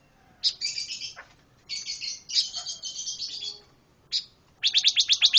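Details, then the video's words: Energetic pancawarna bird song mixing drawn-out buzzy, harsh notes with a short sharp call, then a quick burst of crisp high chips at the end. "Kicau Burung Pancawarna Gacor Suara Kontras"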